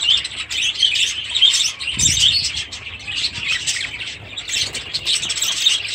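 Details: Several budgerigars with chicks in their aviary keep up continuous high, scratchy warbling and chirping, with one brief low thud near the two-second mark.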